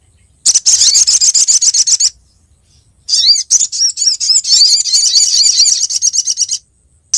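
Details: Lure recording of a female olive-backed sunbird calling the male: a long burst of rapid high chirps, a pause of about a second, then a longer stretch of fast twittering and chattering notes.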